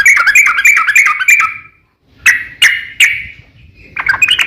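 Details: Sooty-headed bulbul lure song for setting other bulbuls singing: quick chattering whistles, a short silence, then a few separate sharp notes and renewed chirps.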